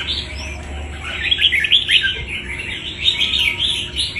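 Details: Red-whiskered bulbul, a wild-caught bird kept for fighting, delivers a lively chattering song of rapid, clear whistled notes and twitters, fairly loud and almost continuous, against faint low background noise.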